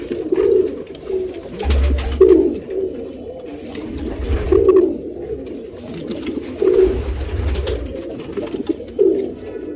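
Pigeon giving soft, low, throaty coos, rolling phrases about every two seconds, with dull low thumps in an enclosed space.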